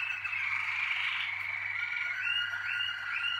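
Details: Malinois Waterslager canary, a bred singing canary, giving a continuous liquid warbling song around a steady mid-high band, with short rising bubbling notes repeated near the end.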